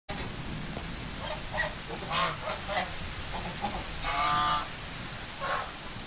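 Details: Domestic geese on a cow farm, enjoying the rain, honk in harsh, nasal bursts over a steady hiss of rain.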